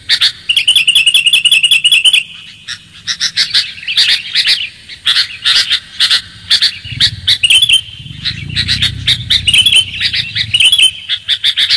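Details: Lure recording of a clear-voiced sooty-headed bulbul: long series of repeated chirping notes and warbled phrases with short pauses, while a soft low rumble rises in the background midway.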